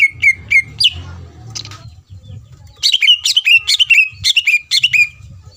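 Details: Greater green leafbird singing to provoke a rival: a few sharp whistled notes, a short gap with low background rumble, then a quick run of bright, descending chip-like whistles.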